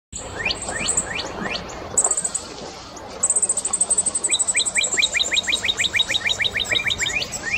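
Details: Northern cardinal singing: a run of clear down-slurred whistles repeated about every third of a second, then a fast rapid-fire series of short sliding notes, with thin high chirps from other birds above.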